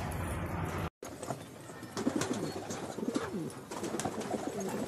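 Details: Filo pigeons cooing: low, rolling coos from several birds overlap from the second second onward, after a brief dropout near the start, over a steady background hiss.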